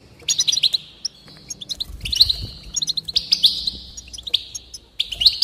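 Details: Goldfinch singing loudly: fast tinkling chirps sliding into sustained buzzy, nasal trills, phrases repeated about every second with little pause.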